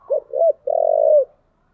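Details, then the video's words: Low cooing of a spotted dove used to lure wild doves: two short rounded coos, then a sustained vibrating note that bends downward at the finish, close and clear. "tiếng kêu của chim cu gáy âm thanh rất chuẩn để kích bổi"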